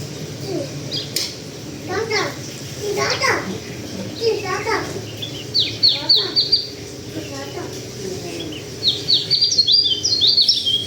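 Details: Local Sulawesi white-eye; a person talks through the first half, then the bird gives quick, high, chirpy twittering phrases in rapid bursts that grow louder toward the end.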